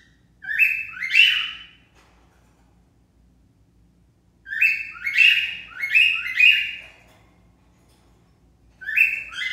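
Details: Cockatiel, curious about a garage door, gives harsh, rising two-part calls in short bursts separated by pauses.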